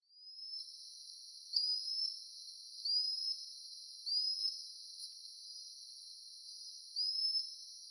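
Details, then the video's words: Common sandpiper calling at Sungei Buloh Wetland Reserve, Singapore, a mangrove wetland: thin, high, slightly rising whistled notes, one roughly every 1.3 seconds, over a steady high hiss. "Calls of a Common Sandpiper"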